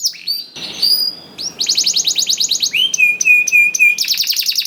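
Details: Energetic canary song used as a lure for canaries that sing little: quick sweeping notes, a rapid buzzy trill, a run of evenly spaced clear whistled notes, then another dense trill.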